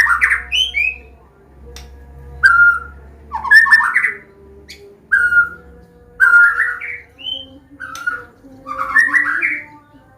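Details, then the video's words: White-rumped shama, Medan variety, giving a teaching combination song in open 'ngeplong' style: short rich whistled phrases about every second or two, some ending in buzzy warbles, separated by brief gaps, low hum underneath. "SUARA KOMBINASI MURAI BATU"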